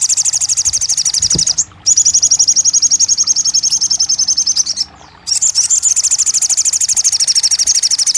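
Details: Crested jay heard in therapy audio meant to make a stalled bird open its beak and reply: long bursts of very rapid, dry, high-pitched rattling, broken by two brief silences.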